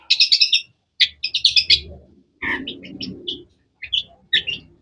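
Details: Loud, sharp, varied chirps from a long-tailed shrike (cendet), given in quick bursts separated by short pauses. Some notes are rough and buzzy, and there is a faint low rumble.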